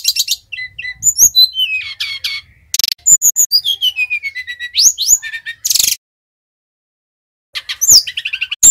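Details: Brown-chested jungle flycatcher, Bali type, singing vigorously as a singing lure: varied phrases of piercing whistles, descending slurred notes and buzzy rattles, a long silent gap near the end, then a renewed burst of chirps and trills.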